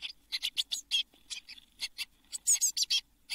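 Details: Eurasian blue tit chicks in a nest box just before all seven fledged on 24 June 2022: evenly spaced high, hoarse chirps, roughly four per second, growing louder towards the end.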